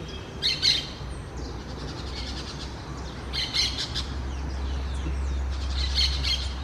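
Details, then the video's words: Orange-chinned parakeets calling in bursts of harsh chattering squawks, three groups spaced about two and a half seconds apart, over a steady low hum. "sonidos y cantos de PERICOS VERDES barbinaranjas"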